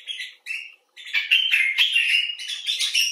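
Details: Common bulbul (Pycnonotus barbatus), one of several individuals, either in rescue care or wild: two brief chirps, then a continuous burst of dense, excited chattering.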